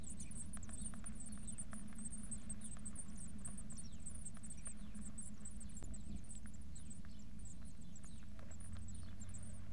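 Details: Eurasian blue tits at their nest around 5:40 a.m. on 2 May 2024, before light and before feeding begins: very high, thin squeaking notes chatter almost continuously, with a few sharp ticks, over a steady low rumble.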